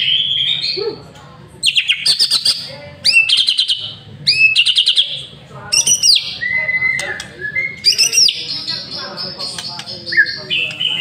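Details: White-rumped shama master bird in full lure song: rapid rattling bursts, upward-sweeping whistles and clear high held notes, rich and varied phrases separated by short pauses, soft low hum underneath.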